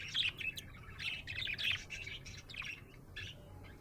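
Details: Happy budgerigar chirping in a lively burst of bright, trilled and squeaky notes, strongest in the first two seconds, then softer chatter.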